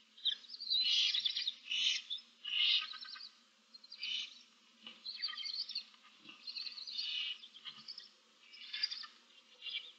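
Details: Several barn owl owlets in a nest box with seven chicks, 15 March 2024: overlapping rasping, snore-like hisses come in irregular bursts throughout, with a low background hum.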